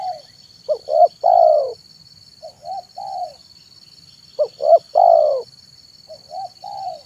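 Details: Spotted dove cooing in the afternoon as a decoy for wild doves: two short notes rise into a long, soft, falling coo, alternating with quieter three-note phrases, over a steady thin electronic tone.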